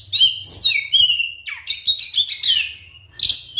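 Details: White-rumped shama song used as a lure for silent shamas: flowing high whistles sliding downward, a sharp falling note, then rolling warbles and a closing burst, with a low hum underneath.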